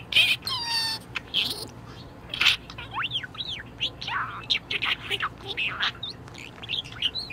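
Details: Budgerigar in a very good mood, chattering nonstop in bright, rapid chirps and squeaky warbles, with sweeping rising and falling whistles and short buzzy notes packed closely together.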